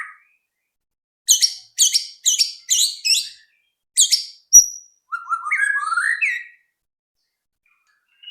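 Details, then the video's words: White-rumped shama singing as a lure for other birds: a series of six short, sharp buzzy notes repeated about every half second, a thin click, then a run of rising whistled notes. "pancingan AMPUH murai batu agar cepat bunyi"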